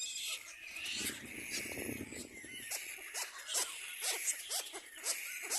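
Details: Little black cormorant chicks competing for food, giving a busy mix of high, harsh squealing begging calls, with rapid repeated downward-swooping notes in the second half and a low rumbling burst early on.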